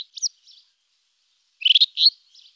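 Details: Brief rufous-tailed scrub robin song: a couple of thin, clipped notes, a pause, then a fast, rich run of rolling high whistles ending in a faint softer flourish.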